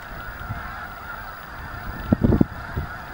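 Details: A big flock of snow geese at Anahuac National Wildlife Refuge, ducks nearby: after quiet hum, a short cluster of four or five rough, low honks crowds together, then one faint honk follows.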